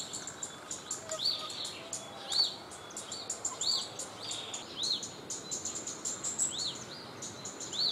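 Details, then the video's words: Wild cit kemade bird going about its activity in natural surroundings, giving clear, high, arch-shaped whistles roughly once a second amid steady, sharp high chirping and faint rustling noise. "Burung Cit Kemade di Alam Aslinya"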